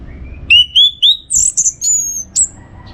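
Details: Orange-headed thrush, a caged contest-training bird from northern Bali: three rising whistled notes, then higher buzzy slurred whistles and a final thin high note.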